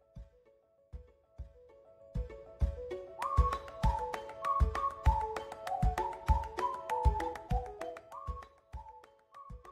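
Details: Only music is heard: soft mallet-like tones over a steady low percussive beat, with no animal voice.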